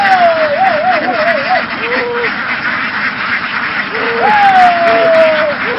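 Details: Vietnamese laying ducks in a large flock driven through the fields to board a boat. Many overlapping quacks form a steady rough din, crossed by a wavering whistled tone early and a long falling whistle later.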